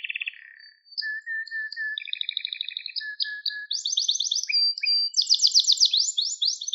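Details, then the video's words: Canary song meant for training birds, opening with a low buzzy note and flat whistled notes, then several rapid trilled tours climbing higher in pitch, with short chirps in between. "Orjinal Kanarya Sesi 2021 Kanarya Kızıştırma Kanarya Ötüşü"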